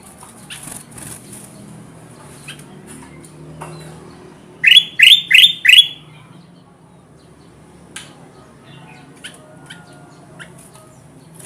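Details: Kutilang emas bulbul lure for trapping wild birds: a tight burst of four evenly spaced, loud, sliding chirps in the middle, otherwise soft clicks and rustles.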